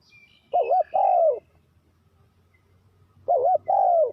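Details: Spotted dove calling to lure wild doves into a trap: two phrases nearly three seconds apart, each a quavering low coo then a longer falling coo, with faint high bird chirps early on and low hum.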